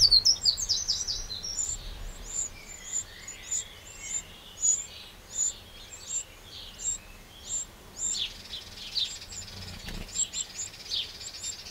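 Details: Eurasian wren in a garden in the Châtillonnais area of Burgundy, France, on 31 May 2023, giving short, sharp, very high notes repeated about every half second in a steady series over quiet background noise.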